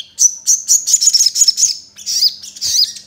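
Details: Crimson sunbird lure song to get other sunbirds singing, with sparrow-like filler notes: very high, thin twittering in quick bursts of sharp chirps, ending with a few squeaky, slurred notes; nothing else is heard.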